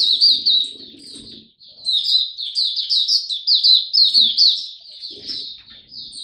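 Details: Oriental white-eye in song display on 26 November 2022, pouring out a long unbroken stream of fast, high, tumbling twitters and squeaky notes, with faint low thumps in the room.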